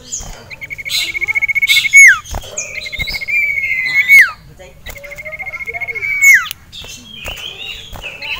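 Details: Caged male sirtu, stirred up by a rival and a female, sings a rapid buzzy trill held on one high pitch that ends in a sharp downward swoop, repeated three times, with clicks and other bird chirps around.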